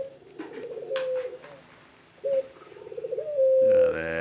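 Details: Tame puter, a Barbary dove, cooing indoors: soft rolling notes rising into a held flat tone, a sharp opening note, then another long sustained coo; faint clicks in the background.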